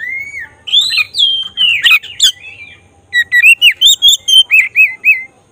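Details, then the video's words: Oriental magpie-robin, the black-breasted form, song used to provoke emotion and tail opening: varied sharp whistles and squeaky slurred notes, then a run of about eight clear up-and-down whistled notes repeated evenly. "Suara khas pancingan agar emosi buka ekor burung kacer dada hitam gacor"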